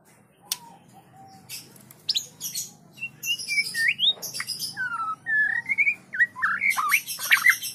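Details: Caged white-rumped shama singing soft practice song close by, in a quiet varied stream of slurred whistles, upswept notes and scratchy high fragments that grow busier toward the end.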